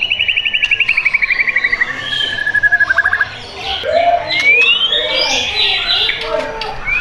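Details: Caged white-rumped shama in a bird shop, Tangerang Selatan, Indonesia, opening with a fast rattling trill that slowly falls in pitch, then a rising whistle and scattered varied chirps and warbles.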